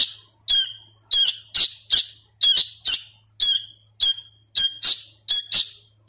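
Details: Hand-fed sooty-headed bulbul youngster, still learning calls, giving rapid runs of shrill, harmonic squawks, often in pairs, nearly twice a second with a faint low hum behind.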